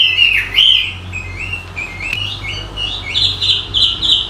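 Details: Bird twittering in a lively run of chirped, sliding notes around the upper-middle range, rising in pitch toward the end into quick repeated trills, with a low steady hum underneath.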